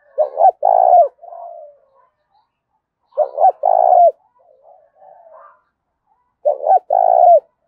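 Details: Spotted dove giving fierce fast-paced contest cooing in the mixed "thổ pha đồng" voice style. Three low phrases come about every three seconds, each two short clipped coos then one long drawn coo. Softer coos sound between them.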